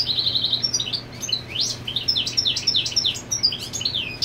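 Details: European goldfinch male marking territory while the female sits on the nest: rapid twittering song of high chirps, slurred notes and buzzy trills, a steady low hum beneath.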